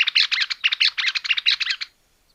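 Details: Greater Wagtail-Tyrant in Argentina gives a quick, scratchy chatter of bright, clustered notes in rapid pulses for about two seconds, then stops.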